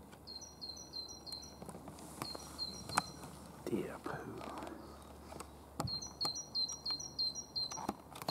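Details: A great tit at RSPB Fowlmere, Cambridgeshire, UK, on 17 January 2015 repeats a bright two-note 'teacher-teacher' phrase in quick runs, with pauses between bursts; a soft voice, rustling and clicks underneath.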